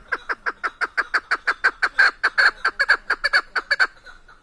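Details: Steady burst of harsh, repeated chuk calls, roughly four per second for nearly four seconds, from a female Chukar partridge, the mountain keklik used for hunting in Tajikistan.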